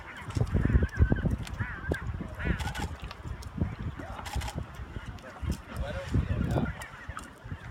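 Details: Chinstrap penguins at Half Moon Island, Antarctica, on 2/8/2018 give harsh, honking, braying calls, several overlapping in quick bursts, over a steady low rumble of wind.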